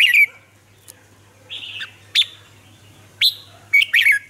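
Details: Red-whiskered bulbul lure singer in Vietnam, used to prompt other caged bulbuls to sing. Scattered short whistles and slurred chirps, some sharp and rising, spaced irregularly over a low steady hum.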